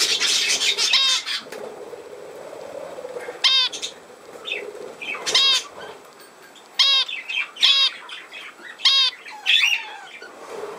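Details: Budgerigar warbling with quiet scratchy chatter, broken by loud harmonic whistled chirps that bend downward. The chirps come singly or in pairs every one to two seconds.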